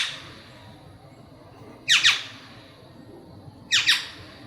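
Black-naped oriole giving two harsh, nasal, cat-like calls about two seconds apart, each a quick double burst, over a quiet background.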